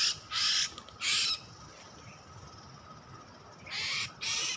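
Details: Oriental magpie-robin (kacer) lure sound for bird trapping: four harsh, hissing, scratchy bursts, each about half a second, in two pairs separated by a quiet gap of over two seconds, with a faint steady background hum.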